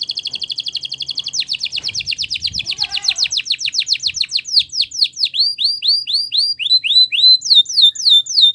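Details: Belgian canary singing a long fast trill that slows into distinct downward-sweeping whistles, then spaced upward-hooked notes, the phrase gradually decelerating; faint low background sounds underneath.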